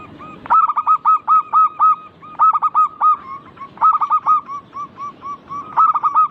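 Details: Local zebra dove singing to prompt other birds, a fast run of loud, evenly paced hooked coos repeated in short phrases, several per second, with faint overlapping notes from more doves behind.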